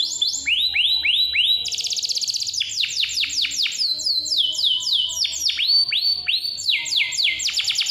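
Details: Lure song of a canary, meant to spur young or lazy canaries into singing; strong, clear series of repeated swooping whistled notes alternating with fast rattling rolls, about four notes a second, with a faint low hum.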